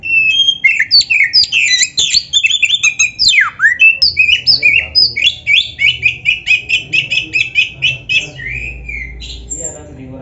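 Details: Oriental magpie-robin, black-breasted form, in a training recording for captive songbirds: a loud, varied burst of whistles and sharp chirps gives way to a rapid run of evenly repeated clipped notes, about two per second, over faint low hum.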